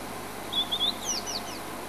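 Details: White-browed Scrub-robin sitting in a buffalo thorn at Djuma, South Africa, singing: a few short, high, clear whistled notes, the first rising, then several quick descending slurred notes, over a faint low hum.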